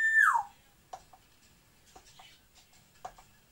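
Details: Pet African grey parrots in Moscow, one giving a loud whistle that slides down from high to middle pitch, followed by several soft clicks and knocks.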